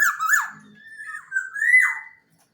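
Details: Javanese local black-naped oriole singing clearly, as a lure for birds that have stopped singing: a harsh, rolling opening, then a smooth level whistle that climbs into a louder, buzzy ending.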